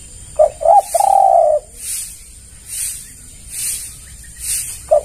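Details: Spotted dove call used as a lure for other doves: two short cooing notes, then a longer drawn-out coo, with a short note opening the next phrase. Soft hissing pulses recur about once a second behind it.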